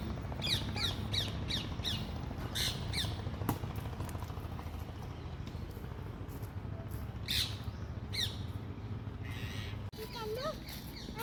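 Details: Parrot calls in clusters of short, grating squawks, a rapid run early on and scattered bursts later, with faint chirps and a constant low background rumble throughout.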